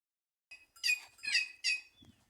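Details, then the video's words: White-naped jay calling in trees at Simões, Piauí, in northeastern Brazil: three loud, harsh, ringing notes in quick succession, then a faint thin whistle and a soft low thump; otherwise quiet. "Ave Cancão cantando nas árvores"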